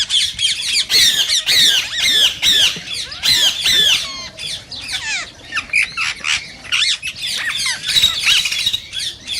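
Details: Rose-ringed parakeets calling to encourage singing and mating: a steady stream of high, harsh screeches and squeaky chatter, loudest in the first half and then thinning into scattered sharp notes.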